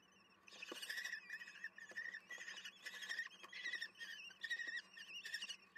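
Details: Wild common kestrel chicks at the nest during feeding, 10 June 2022 at 18:30: harsh, raspy begging calls in rapid repeated bursts, several birds calling together, with a steady low hum beneath.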